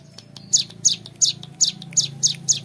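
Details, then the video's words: Hill prinia, young, giving clear ngebren song as a string of bright, high, slightly falling chirps, about three each second, over a low steady hum. "MASTERAN CIBLEK GUNUNG MUDA GACOR NGEBREN PANJANG SUARA JERNIH"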